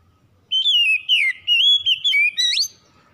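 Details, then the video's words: Oriental magpie-robin (kacer) lure song for stimulating a lazy bird to sing: clear whistled phrases sliding up and down, several bright notes joined in quick succession, with short pauses between bursts and a quiet background. "PANCINGAN SANGAT AMPUH MEMULIHKAN KACER MALAS BUNYI CEPAT GACOR"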